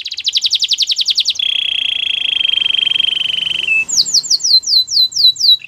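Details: Belgian canary singing: a fast buzzy trill of repeated notes near 4-6k, then a long steady sustained tone, then a series of loud descending slurred whistles repeated rapidly.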